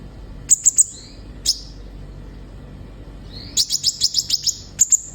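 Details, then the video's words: Sunbird in song as a stimulus for captive birds: three quick piercing chirps, a lone note, a pause, then a rising whistle leading into a rapid run of about eight sharp ticks and two final chirps. "Terapi suara burung kolibri ninja gacor bikin konin bahan cepat bunyi"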